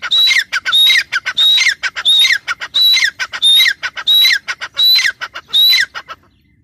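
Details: Female grey francolin calling: loud, harsh squawking phrases, each with a high whistled note that then falls. Eight phrases come at a steady pace, about one every 0.7 seconds, with short gaps of silence between them.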